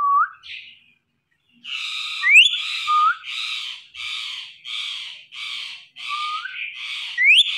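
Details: Talking Indian ringneck parrot repeats a quick string of about eight raspy, buzzy syllables in an even rhythm. Short rising whistled slides are mixed in, after an opening whistled note and a brief pause.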